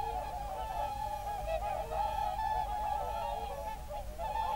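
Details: Whooper swans in an evening concert at a national park, February 2023, geese also there: thick, continuous honking and bugling from many birds at once, fast and irregular.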